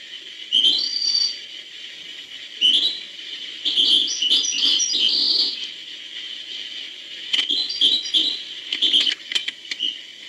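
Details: European goldfinch singing: bright twittering phrases of fast liquid trills and tinkling notes in bursts of one to two seconds, separated by brief pauses, over a steady high hiss.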